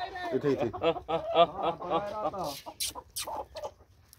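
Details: Morning escape from the coop: hens give a run of nasal, harmonic calls rising and falling in quick succession, followed by sharper clucks and scattered noise.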